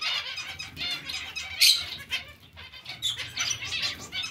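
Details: Colony of zebra finches sharing space with other finches; continuous twittering of short nasal beeps and squeaks, with a loud accented call just past the middle.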